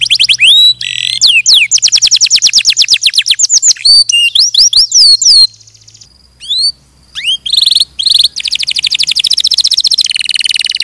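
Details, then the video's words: Canary delivering a varied song of rapid trills and sweeping whistles, broken by a brief near-silent gap with thin single notes around the middle, then resuming a dense, fast trill to the end. "Suara Burung Kenari"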